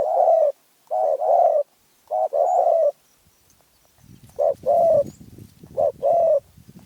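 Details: Spotted dove of Phrae, Thailand, with a small, fierce voice. Its paired coos, short then long, repeat over a quiet start, and a low rumbling background noise joins in the second half.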